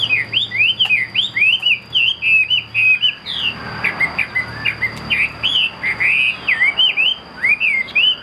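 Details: Caged Chinese hwamei kept as a fighting bird, tail fanned, singing a rapid run of clear whistled notes, slurred up and down in short bursts almost without pause; a faint steady high tone and low hum run underneath.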